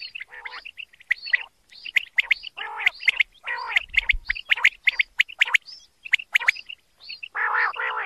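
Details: Male common quail calling with dense, overlapping sharp notes in rapid clusters, several callers seemingly answering one another, with brief buzzy lower notes mixed in.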